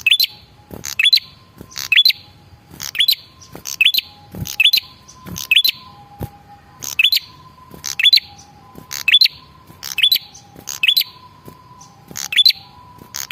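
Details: Male red-headed prinia (prenjak kepala merah) lure call, used to make other birds reply: sharp, rising chirped notes mixed with hissy bursts, repeated roughly once a second, with a faint steady low hum behind.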